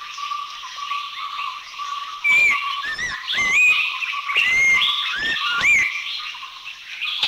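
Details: Abbott's babbler gives about six clear, short whistled notes, some rising, some falling, near one a second, over steady insect drone and forest hiss; recorded in Thai national parks (Khao Yai, Doi Inthanon, Doi Suthep-Pui, Chae Son).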